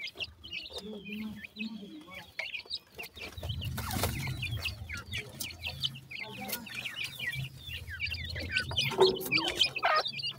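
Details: Baby partridge chicks feeding: a busy chorus of short, thin, high peeps and upslurred chirps overlapping throughout, with soft low clucks, pecking taps and scuffling underneath.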